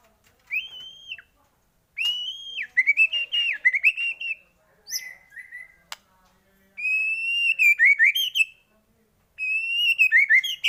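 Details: White-rumped shama song as a lure prompting other shamas to sing: clear, high whistled phrases with wavering and warbled notes, delivered in several spaced bursts.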